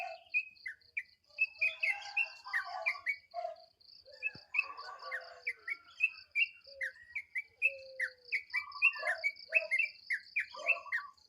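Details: Sooty-headed bulbul calling at dawn with rapid chattering alarm notes, short downslurred chirps and a few longer lower slurs, pouring out almost without pause while a steady cricket-like high pulsing trill runs underneath.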